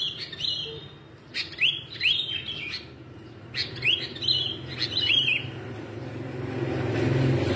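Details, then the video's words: Yellow-vented red-whiskered bulbul in fierce all-day contest singing: loud, clear, whistled phrases with quick downward slurs, delivered in two bursts of four or five notes. A low hum rises toward the end. "chào mào đít vàng bông lau , đấu hót cả ngày mặt dữ hung"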